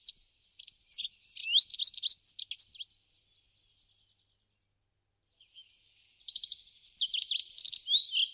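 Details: Rock bunting at a feeder in Crémenes, León, Spain, March 2019: a rapid high twittering phrase of sharp chirps and slurred notes, a gap of about three seconds, then a second buzzy, rattling high phrase.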